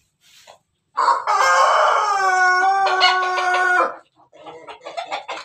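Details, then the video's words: Pelung rooster with one long, steady crow of about three seconds, strongly tonal throughout, then falling away into several softer, uneven clucking notes. "ayam pelung Bangkok ketawa"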